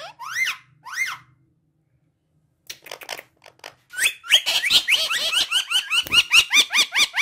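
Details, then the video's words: Talking parrot kept as a pet: two arched whistled notes, a quiet gap, soft scratchy chatter, then a dense run of rapid whistled and harmonic notes building in loudness. "My Amazing Talking Parrot"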